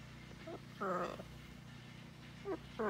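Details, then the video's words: Captive blue-and-gold macaw chatting with its owner on a farm: a faint syllable, then a louder drawn-out 'hello'-like phrase, followed by two brief rising voiced bursts near the end, with steady background hum. "Talking With My Friend The Macaw Parrot"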